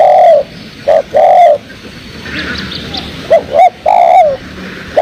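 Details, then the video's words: Lure calls of a spotted dove for bird trapping: short coo then a long falling coo, a quiet gap with faint high twittering of small birds, then more coos. "Inilah Suara Burung Tekukur Merdu paling di cari buat pancingan || Suara tekukur buat pikat"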